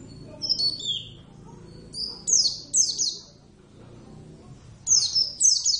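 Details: A kept Javan Oriental white-eye, a pleci, in lively song. Rapid clusters of shrill, downward-sliding chirps come in four bursts over about six seconds, some notes overlapping into short trills, over faint low room noise.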